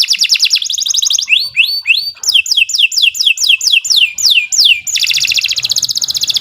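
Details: Lure recording of canary song for bird training: rapid trills, rising and falling whistled slurs in quick succession, then a long, bright buzzing rattle.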